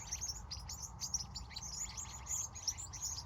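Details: Birds calling at sunset in California during the evening: many overlapping high, thin chirps and twitters in a dense chorus over a steady low rumble of background noise.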